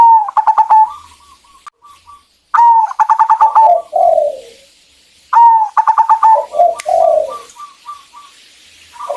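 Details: Local female zebra dove calling for a male, used to stimulate singing: three phrases spaced about two and a half seconds apart, each a bright note, a quick stuttering string of coos, then a soft low trailing coo.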